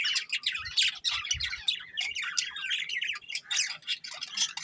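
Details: Breeding pair of budgerigars giving a continuous stream of scratchy chirps, squeaks and warbled notes, with a few dull low knocks early on.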